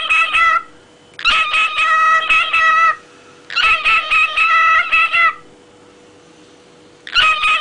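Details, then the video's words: A pet parrot sings, giving three long, harmonic, chattering phrases of about one and a half seconds each, bright and nasal, separated by short pauses, with a brief start of a fourth. "Попугай Кеша и его песня"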